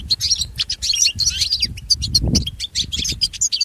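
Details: Pet-training recording of a goldfinch singing: bright, rapid twittering and jingling notes packed closely together, with a low rumble of background noise.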